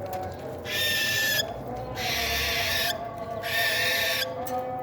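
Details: Cockatiel chicks at a playful meal time: three long, harsh, hissing rasps, each about three-quarters of a second, spaced by short pauses, over a steady low hum and faint tonal background.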